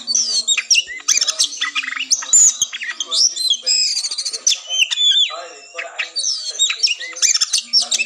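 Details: Oriental magpie-robin in combative song, played to lift breeding drive and spirit before a song contest. Dense high whistles, quick slurred notes and harsh chatters come in unbroken bursts, with a low steady hum in the background.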